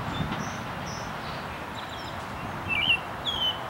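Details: American robin singing at Huntington Central Park, Huntington Beach, Orange County, California: two short whistled, warbling phrases near the end, with faint high thin notes from other birds and low background rumble.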